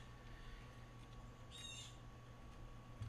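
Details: A blue jay, very angry and screaming outside an open window, gives a single harsh, rasping scream lasting under half a second, heard faintly over a steady electrical hum and indoor room noise.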